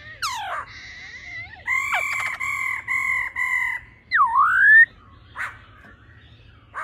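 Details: Female laughingthrush calling to stimulate the male: a falling sweep, a sustained steady harmonic tone in several segments, then a loud dipping-and-rising whistle, with faint background hum.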